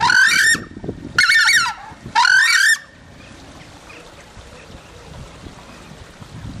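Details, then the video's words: Southern screamer at Slimbridge giving three loud, harsh trumpeting honks about a second apart, each with a rising, nasal tone, followed by quiet background. "Crested Screamer"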